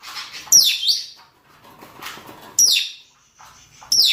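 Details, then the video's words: Rosy-faced and Fischer's lovebirds, males and females, giving mating calls: three loud, piercing shrieks that sweep sharply downward, spaced roughly one and a half seconds apart, with quiet chirping in between. "نداءات ذكور وإناث طيور الروز والفيشر من أجل التزاوج"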